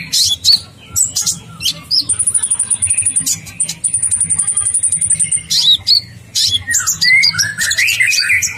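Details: Olive-backed sunbird in long rolling gacor song for masteran: scattered high chirps, then an extended very high, even trill lasting several seconds, then busy warbling, with a soft music bed.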